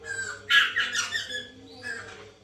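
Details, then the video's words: White-crested laughingthrush, captive, played to coax another caged bird into singing: loud, harsh squawking bursts mostly in the first second and a half, then a quieter rasp near the end, over a steady low hum. "pancingan Poksay mantel agar bunyi"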